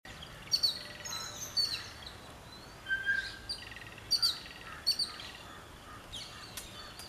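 Jungle babbler giving short, squeaky high chirps in scattered bursts of two or three notes, with one lower whistled note partway through and a faint outdoor hiss.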